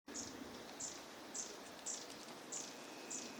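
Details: Long-tailed tit in Junsai-ike green park, Chiba, Japan, March 2025; six thin, very high notes repeated about every 0.65 seconds, faint against steady background hiss.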